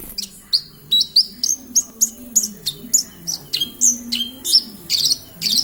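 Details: Javan bush lark singing persistently in Kediri: a steady run of about fifteen sharp, high chirped notes, each a quick down-slurred flick, spaced roughly every third of a second, over a faint low murmur in the background.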